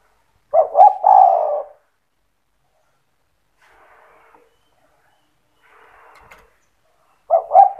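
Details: Spotted dove singing to rouse other doves: a husky stuttered coo phrase, a long pause with faint soft rustling, then the next phrase starting at the close.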